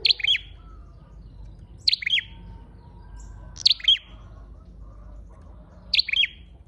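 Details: A red-headed flowerpecker lure call repeats four times, roughly every two seconds: short, piercing, high chirps made of two or three rapid notes, with quiet low rumble in between.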